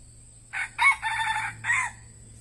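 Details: Decoy red junglefowl used for luring wild birds crows once: four joined syllables, the third drawn out and the last short and dropping, over a steady low hum and a faint high whine.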